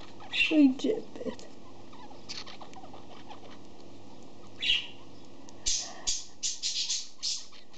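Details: A male pet budgerigar that seems to have the sniffles gives a brief raspy chatter, then a run of short, breathy, snuffling bursts.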